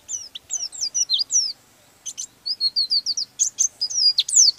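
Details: Caged oriental white-eye singing a rolling song meant to provoke rival birds: rapid high thin chirps and slurred whistles in quick bursts, a short pause near two seconds, then a dense run of sharp rising and falling notes.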